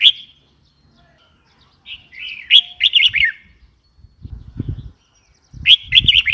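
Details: Red-whiskered bulbul calls: a lone sharp chirp, then a lively warbled phrase of rapid looping whistles, repeated again near the end, over soft low background thumps.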